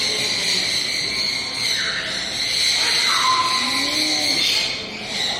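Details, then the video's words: Captive striped owl born 2016, a small owl, calls continuously: a steady, high, raspy hiss without a break, with a few short sliding whistled notes underneath. "鳴き続けるよ🌺フクロウの鳴き声★ウサギフクロウ★つむぎちゃん★the sound of Striped Owl"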